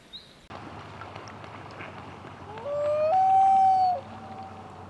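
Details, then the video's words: Wild common loon in Maine, heard from a kayak, giving a single drawn-out wail that climbs in two steps and then holds, over a steady background hiss. "Loon Calls in Maine"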